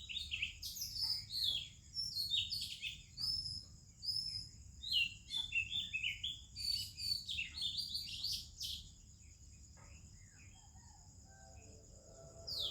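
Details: Indian morning chorus led by an Oriental magpie-robin: about nine seconds of lively, varied whistled notes and sharp chirps in quick succession. The singing then fades to quieter distant notes, with a constant high buzz behind.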